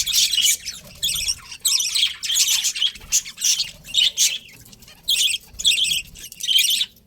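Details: Loud, distinct bursts of budgie chattering, each about half a second of buzzy, warbling tweets, come roughly every second with short silent gaps between them.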